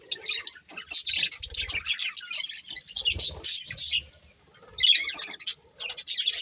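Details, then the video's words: Budgerigar breeding pair heard in broken bursts of high, raspy chirping and chatter, with pauses and low fluttering or rustling sounds between phrases. "Cute Budgies Chirping Sounds | Love Birds Breeding Pair"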